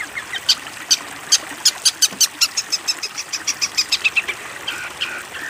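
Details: Long-tailed shrike training song for young birds: rapid, clicking high chips in an even series, roughly four per second, fading into a few lower burry notes at the close.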